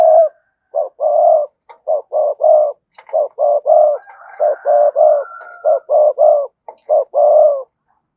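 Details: Spotted dove, a cườm sa bird, cooing in a fast, busy run of hoarse, mellow notes near the low-middle range, short coos packed closely and repeated over eight seconds, with a faint higher whistling tone in the middle.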